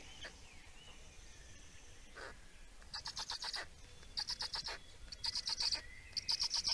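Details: Black storks in Estonia during feeding on 17 May 2019; after a quiet start, clusters of rapid, hissing, rasping pulses come in short bursts, each under a second long, growing louder toward the end, with a faint whistle in the background.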